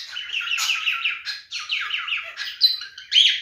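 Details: Rapid chattering warble from a male cockatiel in mating behaviour, short descending chirps packed closely together, then rising whistled notes at the end.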